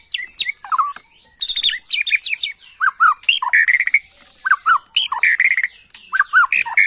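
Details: Excited Bornean white-rumped shama lure song, dense and varied: fast chattering notes mixed with bright slurred whistles and harsh buzzy elements, phrases overlapping almost continuously with only short gaps.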